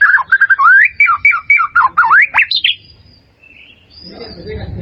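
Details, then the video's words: A white-rumped shama song for training caged birds to sing more: a rapid string of clear whistled notes, several repeated level tones and deep swooping slurs, fading after about three seconds into a quiet low rumble. "SUARA MURAI BATU"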